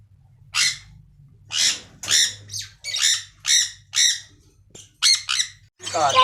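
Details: Caged budgerigars in an aviary, playing, singing and eating: a loud series of harsh, squawky chirps, each about half a second long, over a low background hum.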